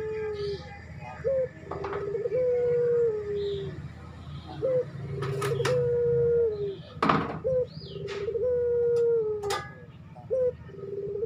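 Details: Barbary dove in breeding condition calling for a female: four cycles of a quick rising note followed by a long, level, mellow coo that drops away at the end, with occasional clicks and knocks and a low hum behind.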